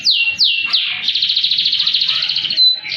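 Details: Canary singing high and low, for coaxing silent canaries: three sharp descending whistled swoops, then a fast, even rolling trill, closing on a thin high note.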